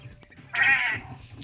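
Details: A young male quail, about 27 days old and maturing early under constant heat lamp light, gives one harsh, raspy crow, a buzzy half-second burst, against a quiet background; males have just started crowing.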